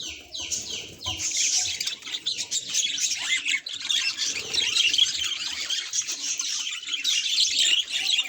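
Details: Reacting to a mirror, a budgerigar opens with a few descending squeaks, then settles into a loud, harsh, continuous warbling chatter.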